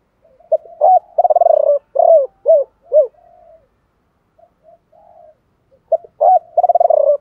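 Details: Decoy spotted dove calling in the 'gáy gọi ba hậu' style with a 'thổ pha' voice: a stuttering rolled note, then clear mellow coos falling in pitch, a pause with faint soft notes, and another rolling coo phrase.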